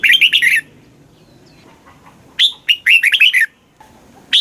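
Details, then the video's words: Red-whiskered bulbul song used to excite caged birds; a warbled phrase ends, a pause follows, then a second burst of loud whistled notes tumbling downward, and a new high note begins at the end. "เสียงนกกรงหัวจุก ร้อง ริก เปิดให้นกฟัง ยั่วให้นกคึกจัด chao mao hot, chào mào hót"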